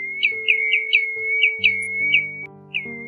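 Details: Pacific golden plover calling its flock, 2020 lure recording: a loud string of sharp, upslurred whistles running into one another at an even pitch, slowing toward the end, over a background of held low musical notes.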